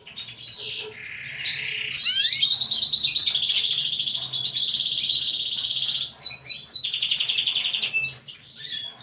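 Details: A kenari, or canary, sings in a distinctive cengkok style: a low whistled opening, rising sweeps, then a long continuous rolling trill followed by quick descending chirps.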